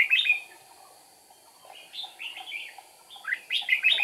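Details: Decoy red-whiskered bulbul singing to provoke wild rivals during trapping, 8 April 2019: a loud slurred opening phrase, a near-silent second, then a chain of mellow chirps building to a strong bright warble.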